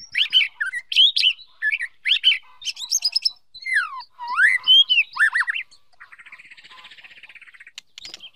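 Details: Female wild white-rumped shama inciting the male to rehearse his song: loud varied whistles, swooping slurs and squeaky notes, ending in a softer buzzy, rattling stretch.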